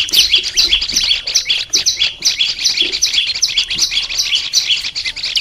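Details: Olive-backed tailorbird held as a cage bird, song for training: fast stream of piercing two-note chirps, roughly two to three per second, dense and continuous with faint low thumps.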